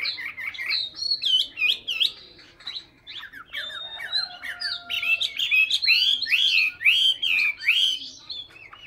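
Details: Hwamei from Hanoi, Vietnam, singing a rich, fast run of loud whistled phrases, with slurred rising and falling notes and sweeping trills in quick bursts, broken by a brief pause near three seconds, with a faint steady lower tone midway.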